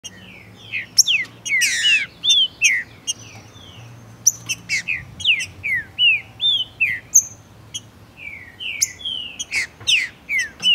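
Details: Male Green-winged saltator from Brazil, spirited and stimulated by a female, singing hard in tournament and breeding season to trigger another bird's song: rapid run of loud slurred whistled notes, some rising, some falling, mixed with sharp clicks.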